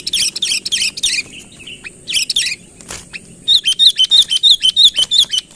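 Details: Sooty-headed bulbul calling a rival to come closer, the natural voice with no filler; scratchy chirp bursts give way to a fast, even run of short, bright, bouncing notes.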